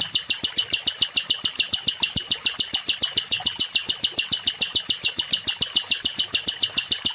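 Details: Nightingale, called sikatan londo, recorded as training song for other songbirds: a fast, very regular run of sharp high clicking notes, a little over two per second, steady throughout without pause.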